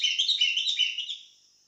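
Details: Sooty-headed bulbul singing energetically: a quick burst of bright, chattering warbled notes at fairly high pitch, bubbling for about a second before fading out.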